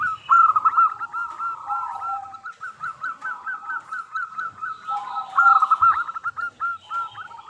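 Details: Local zebra dove in full song, a lure recording meant to draw an immediate answer from other doves: rapid runs of short clear cooing notes, about three per second, with lower softer notes underneath and a faint background rustle.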